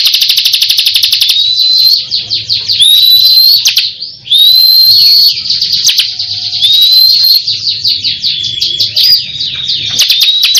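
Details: Bar-winged prinia, locally ciblek kristal, singing gancor: dense shrill chattering phrases with smooth rising whistles and brief pauses, high and sustained throughout.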